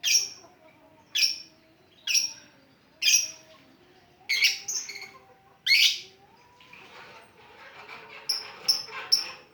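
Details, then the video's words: Lovebird 'ngetik' singing, used as a lure to draw other lovebirds into song: regular high chirps about once a second, then a grainy buzzing passage, ending with quick thin chirps. "Love bird ngetik pancingan ampuh"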